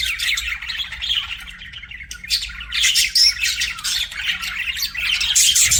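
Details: A budgerigar chatter of rapid chirps, roughly two or three notes a second, mixed with buzzy warbles and a few piercing squeaks toward the end.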